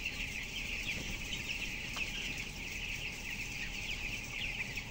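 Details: Broiler chicks, 12 days old and weighing 423 grams, in a closed-house shed holding 7,000 birds: a dense, continuous chorus of high thin peeps over a steady low mechanical hum.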